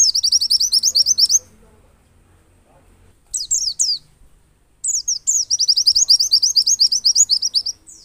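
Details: Lure song of a Pacitan white-eye (pleci) in ngalas and nembak style, meant to make other birds open their beaks: loud, rapid chains of high, thin slurred notes, nearly continuous, broken by brief pauses.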